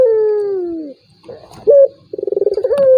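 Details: Turtle dove call used as a lure to provoke a rival bird that is reluctant to call: a long, smooth, falling coo, then a short bright note and a rolling, pulsed coo rising into a drawn-out tone.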